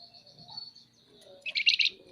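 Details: Scaly-breasted munia, a caged bird in lively chattering voice: one long thin high whistle, then a short burst of rapid scratchy chatter near the end.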